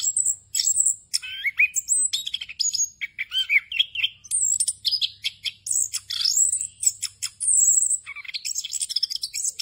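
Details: Tutor song for untrained birds: an orange-headed thrush delivers nonstop 'ngerol' song stuffed with fill-in phrases, mixing thin high whistles, upward and downward slurs, and rapid clicking bursts across nearly ten seconds.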